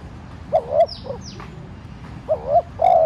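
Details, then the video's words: Decoy spotted dove urging wild doves to answer with soft coos. Two low phrases of paired short notes and a drawn final coo, plus a faint extra note, while thin descending whistles from other birds sound in between. "cu gáy mồi cây thúc nhẹ kích cu bổi dễ gáy. tiếng cu đất gáy thúc"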